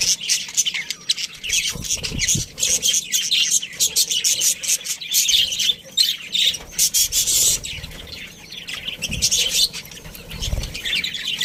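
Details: Steady wall of high budgerigar chirps and harsh squawks from a pet colony with a breeding pair, nearly unbroken, with a few soft low bumps.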